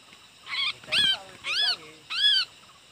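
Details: A wild Sooty-headed Bulbul, caught using a young decoy bulbul, gives four rich, arched notes about half a second apart, each swelling up and falling back. Faint background hiss.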